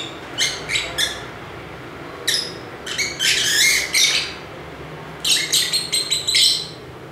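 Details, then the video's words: Lively lovebird chatter in three bursts, each a quick run of rasping, squeaky high notes. Brief quiet gaps separate the bursts, with low background noise. "Ramai Kicauan Lovebird (Lovebirds Sounds)"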